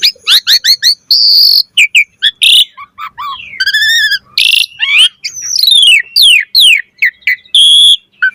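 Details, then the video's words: Asian pied starling in full-variation gacor song: quick repeated chirps, nasal buzzy notes, a raspy hiss, then a cascade of descending whistles and sharp squeaks. "Jalak Suren Gacor Mompa Full Variasi Ocehan"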